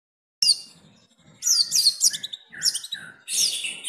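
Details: Caged long-tailed shrike in Jepara performing a song filled with mimicked kapas tembak notes: high, scratchy bursts alternating with short clear whistles and lower falling notes, delivered in separate phrases with brief pauses.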